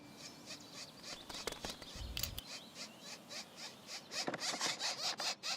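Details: Woodpecker chicks about eight days old, in a nest hole chiselled 15 inches deep high in a tree, give harsh, hissing, buzzy cries, about twice a second, growing louder and more insistent, with a brief low thump midway.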